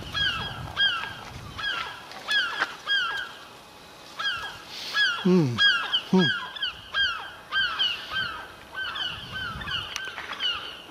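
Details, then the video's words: Gulls perched on a rooftop beside a chimney pot, calling continually down into a lounge: repeated harsh, nasal, downslurred yelping notes in rapid series, with one deeper descending cry midway and a quieter stretch before the calling resumes. "UNWELCOME NOISY SEAGULLS"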